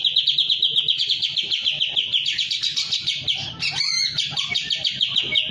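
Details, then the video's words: Kapas tembak in breeding condition with tail spread, singing steadily: a fast run of repeated bright chattering notes, about four to five each second, broken midway by a brief squeaky twist before the rapid chatter resumes. "full kapas tembak gacor buka ekor birahi"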